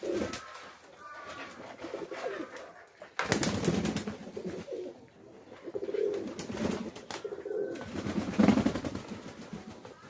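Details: Pigeons bathing give soft, low coos amid bursts of splashing water and flapping wings.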